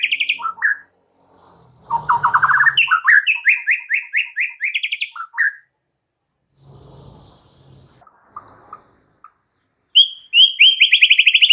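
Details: Energetic white-rumped shama (murai batu) displaying its repertoire of fills: sharp whistles, then a long rapid run of rising slurred notes, a pause with soft rustling, then a fast chattering trill.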